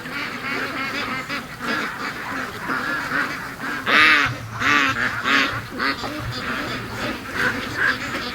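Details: Free-range ducks in their morning rush on a Sunday: a dense chorus of overlapping nasal quacks from many birds, with one louder burst of raspy calls near the middle.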